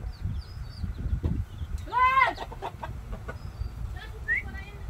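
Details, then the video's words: Chickens in a farmyard pen, where chicks stay with their mother: one loud, harsh, descending hen cluck with stacked tones, a few shorter clucks, and faint high chick peeps over a low background rumble. "Pollitos en el corral!"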